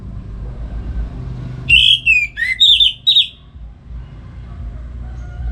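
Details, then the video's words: Orange-headed thrush singing in the morning at a home in Singaraja, Bali, as training for other songbirds: one brief phrase of slurred descending whistles and a few bright notes, set between stretches of low hum. "Pagi Hari Hari ANIS MERAH Ngeplong Gacor Untuk Pancingan & Masteran Burung Dirumah"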